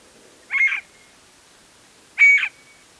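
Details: A scaled quail calling from a post near the Embudito Canyon trailhead, Sandia Mountains foothills, Albuquerque, New Mexico: two harsh, nasal, two-part calls, each about a third of a second long, spaced almost two seconds apart, quiet background.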